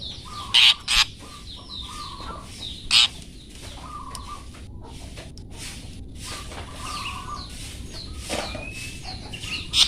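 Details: Long-tailed shrike, a 'toet toet' recording used as a master for training songbirds: a few loud, harsh, buzzy bursts spaced irregularly over a busy background of faint, steady whistled tones and other distant chirps.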